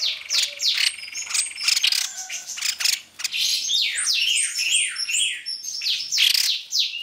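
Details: White-throated fantail lure recording: a dense run of high, clear whistled notes, many sliding sharply downward, overlapping and repeating quickly throughout with only short gaps.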